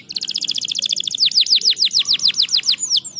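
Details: Canary song played to stimulate lazy canaries to sing: rapid repeated high notes in a fast trill, then a slower series of bright downslurred whistles, about three per second.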